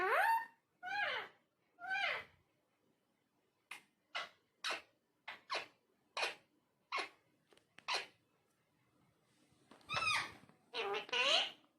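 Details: Indoor talking parrot producing three swooping harmonic calls, then a run of short sharp clicks or syllables roughly every half second, ending with a few louder chattering, speech-like bursts.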